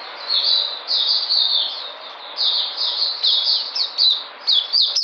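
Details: White-eye on 13 February 2020 singing thin, high slurred whistles in short clusters, ending with a few quicker sharp notes.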